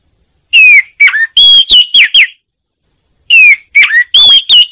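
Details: Oriental magpie-robin song, loud and clear without background noise: two bursts of varied, sweet whistled phrases, each made of several quick notes sliding up and down, separated by a silent gap.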